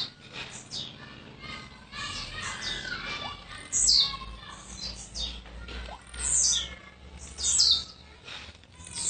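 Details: Young blue-black grassquit from Jacarepaguá, Rio de Janeiro, newly arrived, singing sharp high descending buzzy notes at irregular intervals over a busy background of other chirps and faint low rumble.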